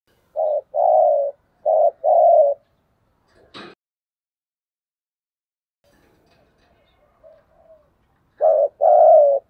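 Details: Spotted dove giving a spirited 'thúc gù' dueling coo, used to challenge rivals: two deep hollow phrases, each a short coo followed by a longer one. A sharp click falls in the pause, then a third matching pair of coos.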